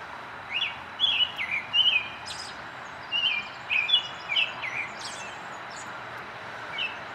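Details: Short, slurred whistled phrases from an American robin, delivered in loose bursts with brief pauses, accompanied by a few sharp high chips and a quiet hiss.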